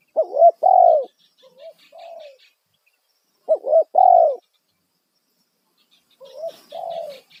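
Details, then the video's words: Spotted dove in a loud single-kuk lure call meant to draw wild birds: three low, mellow coo phrases about three seconds apart, each a quick double note then a longer falling coo, softer coos and faint high bird chirps between. "Panggilan suara tekukur kuk satu suara lantang auto burung liar respon"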